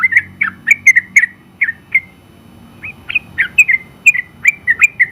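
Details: Trucukan, the sooty-headed bulbul, champion bird, in a burst of quick whistled and slurred notes, a pause of about a second, then another rapid chattering phrase of bright whistles with rising and falling inflections.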